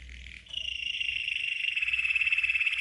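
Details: A red canary sings one long, fast, even roll of high buzzy notes that starts abruptly and holds steady, with a faint low rumble beneath; this is a training song for teaching young canaries to sing.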